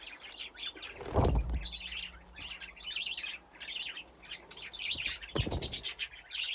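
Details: Budgerigars playing in an aviary with nesting boxes; lively overlapping chirping and warbling, interrupted by two loud low thuds or knocks.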